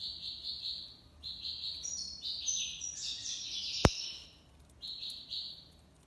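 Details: European goldfinch (maqnin) delivering tiwawati libasad style song: rapid buzzy and tinkling phrases rising into brighter, higher trills, broken by one sharp click, then a final short buzzy phrase.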